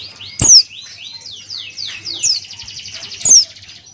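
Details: Male Buxtoni white-eye singing 'ngalas' style with open beak: a series of clear, rapid downslurred whistles flowing into a fast high trill, punctuated by three loud sharp squeaks, steady low hum behind.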